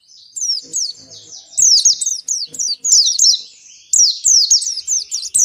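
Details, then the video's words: Oriental white-eye singing an energetic, long-running 'ngalas' song to prompt kept white-eyes: repeated phrases of very high, downslurred whistles in quick groups, separated by short, softer gaps with faint low clicks. "Suara Pleci Gacor Ngalas Panjang ini Yang bisa Bikin Plecimu Cepat Ngalas"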